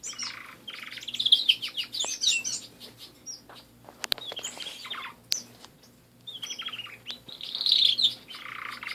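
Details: Canaries kept as pets singing: bursts of dense buzzy trills and warbles separated by clicks and brief quiet spells, phrases recurring after a pause.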